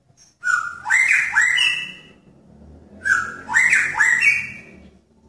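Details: A male Magpie-robin in a pairing cage, attracting a female, gives two loud, rich phrases of rising whistled notes with a harsh edge, about two and a half seconds apart, over a low background hum.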